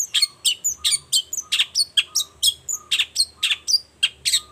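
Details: Long-tailed shrike in lively morning song, used as a lure to make silent shrikes answer; rapid harsh, scratchy notes mixed with short high whistles, about three to four a second, over a steady faint high hiss.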